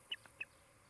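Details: Osprey at its nest near Charlo, Montana, one of a pair building a new nest and mating in summer: two short, sharp, high chirps about a third of a second apart, over quiet outdoor background hiss.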